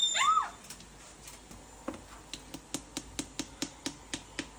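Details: Pet caique indoors, behaving wildly: one loud, arched, harsh squawk that rises and falls. It is followed by a run of sharp, evenly spaced clicks or taps.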